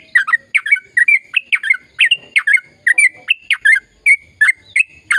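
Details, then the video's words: Energetic, long rolling chatter of a sooty-headed bulbul, intended to encourage silent birds to sing: rapid, evenly paced, bubbly chirp notes follow one another without a break. "Suara Burung Trucukan Gacor Ropel Panjang"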